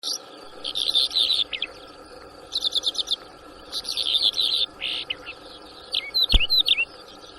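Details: A trapped Bimaculated Lark in Shamani, Lakki Marwat, on 6 March 2024 gives bursts of rapid, rolling chirps and trills in four or five phrases, over a steady background hum with a sharp click.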